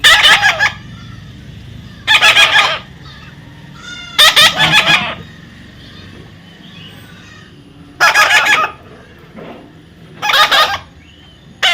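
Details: Baby parrot giving harsh, raspy, buzzy calls in short bursts roughly every two seconds, each burst broad and grating, with quiet gaps between.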